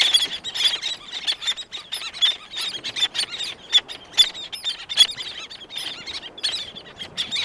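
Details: Black-naped terns, several calling close with others in the distance: rapid series of short, piercing squeals and harsh notes, densely packed and overlapping, with wing beats.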